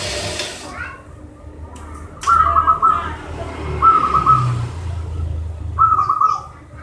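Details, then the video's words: Local zebra dove song used to encourage lazy singers: three rolling coo phrases of rapid repeated notes, spaced about two seconds apart, over traffic-like rumble and a brief splash of noise at the start. "PERKUTUT LOKAL GACOR UNTUK MASTER PERKUTUT YANG MALAS BUNYI"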